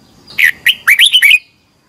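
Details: Red-whiskered bulbul competition singing used to train birds: a single quick phrase of about six bright, rolling whistled notes, rising and falling, then silence.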